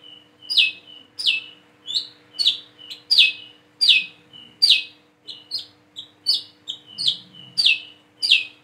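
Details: Plain-throated sunbird learning to sing and call repeats bright descending chips, some paired with short rising whistles, in a brisk uneven series of about a dozen notes over a faint background hum.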